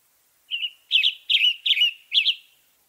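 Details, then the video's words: A Western Tanager sings five hoarse, burry, robin-like phrases in quick succession, each brief and slightly buzzy, with nothing else audible behind it. "Western Tanager Song"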